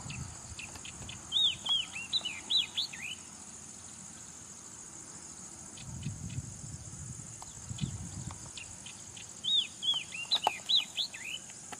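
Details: Yellow-eyed Babbler song: two bursts of short, clear whistled notes, some rising and some falling, delivered in quick runs about eight seconds apart over a steady insect buzz and soft low rumble.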